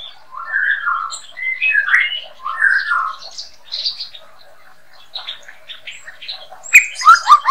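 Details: White-rumped shama song played as a master song for training birds: varied phrases of slurred whistles and short chipping notes at mid to high pitch, ending with a burst of sharper, rapid notes.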